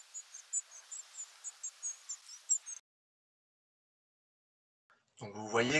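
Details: European Robin nocturnal migration flight calls compiled from two nights: a rapid run of about a dozen very high, thin, short 'tsiih' calls, each differently shaped, then a pause and a man starting to speak.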